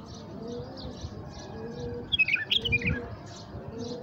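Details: Bulbul kept tame as a lure for wild birds gives a brief cluster of bright, warbled whistles in mid-clip, while low dove coos and faint chirps continue in the background.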